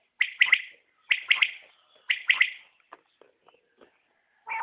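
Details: Batair calling in a new recording: three bright three-note phrases, each a fast sharp triplet about a second apart, followed by faint scattered clicks.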